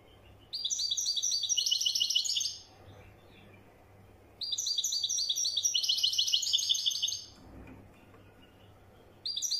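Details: European goldfinch delivering widani-type song in repeated phrases: two bursts of fast, bright, high twittering, each about two seconds long, separated by pauses, with a third starting at the end.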